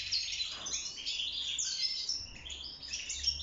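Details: Wild-caught European goldfinch in a cage singing for mating and nest building: quick bubbling twitter with high thin whistles and a short buzzy phrase.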